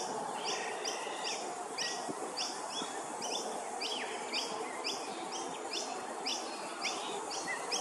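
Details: Sacred kingfisher at Hervey Bay, Queensland, giving short, sharp, high notes about every half second, with other birds chirping over a steady hiss of insects or wind.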